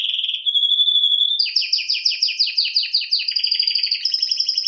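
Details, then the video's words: Canary song opening with a steady pure whistled note, then a rapid series of descending chirped notes repeated about three per second, ending in fast high trilled phrases; clear and close with no other sounds. "Canary bird Singing"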